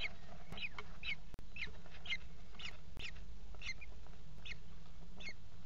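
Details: In a nest box on 28 June 2016 at 17:00, a mother Common Kestrel feeds four young, the newest hatched that day; rapid, thin, rising-then-falling squeals repeat about twice a second over low background rumble.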